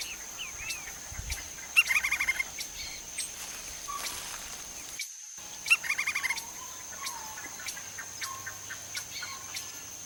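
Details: Lineated woodpecker (Dryocopus lineatus) foraging in Brazil gives two quick rattling series of sharp, repeated notes a few seconds apart, over a steady high insect-like whine and faint background noise.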